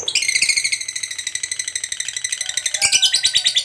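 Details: Lovebird in full song with its long 'ngekek' chatter, used to goad other lovebirds into answering: a quick, piercing, buzzy rattle of evenly spaced notes that grows slightly louder toward the end.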